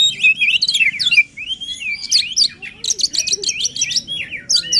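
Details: White-rumped shama giving intense song meant to trigger singing in a quiet bird, with flowing slurred whistles leading into rapid, scratchy repeated notes and high chatters.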